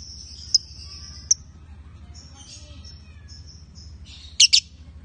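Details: Male and female lovebirds give a drawn-out high whistle, then scattered short whistled phrases, closing with a pair of harsh, sharp chirps, over a low droning background.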